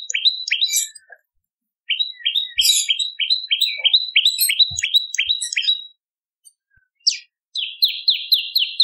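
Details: Bar-winged prinia song for luring birds: bouncy runs of repeated rising chirps broken by short pauses, ending in a quick, tight series of sharp notes.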